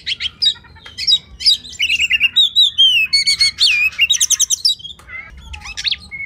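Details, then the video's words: Oriental magpie-robin song as masteran for training competition birds. Crisp repeated notes at roughly two and a half per second, with rolling whistled trills, clear upslurred calls and brief buzzy flourishes. "Masteran Kacer Spesial untuk Burung Lomba"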